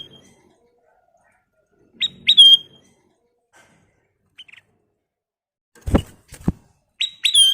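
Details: Ruby-throated bulbul singing strongly for training other birds: paired sharp upswept notes ending in a held, bright whistle, given twice, with faint short notes and two loud knocks between them.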